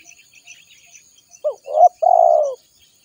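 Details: Spotted dove lure call, used to attract wild doves for trapping: one three-part phrase of a short rising note, a throaty middle note and a long, vibrating, slightly falling coo, after a quiet start.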